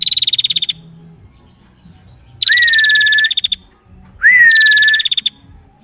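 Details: Busy female prinia singing in dense bursts, meant for tutoring other birds: a steady rapid buzzy trill, then two phrases that each open with a short upward-sliding whistle and run into a fast pulsed rattle, with a clean, quiet background.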